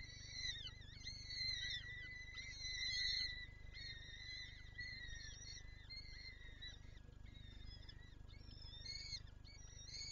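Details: Lublin, Poland, 23 April 2024: a female peregrine falcon wanting to feed her chicks. Dense, overlapping thin whining notes bend up and down almost without pause, above a constant low rumble and hiss.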